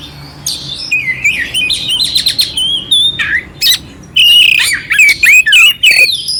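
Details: Energetic oriental magpie-robin song used to provoke a sluggish bird, with scratchy rasping stretches, brief pauses, then loud looping whistled phrases and rapid chip notes.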